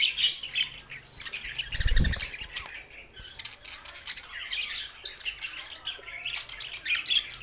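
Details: Budgerigars in Sindh chattering in song: a loud burst of squeaks opens, a low rumbling noise swells around two seconds, then steady scratchy warbling from several birds.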